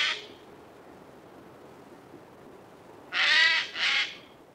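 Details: Eurasian jay giving two loud, harsh, rasping screeches in quick succession after a quiet stretch, with the tail of a similar hoarse screech right at the start; no other clear sounds.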